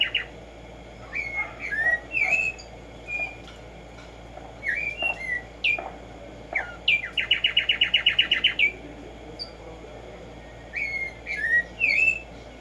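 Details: Arremonops conirostris, black-striped sparrow (tumba yegua, tico tico), singing in the morning: repeated groups of slurred whistles and chips, a fast rattling trill of about fifteen even notes midway, then more whistled phrases, over constant low hum.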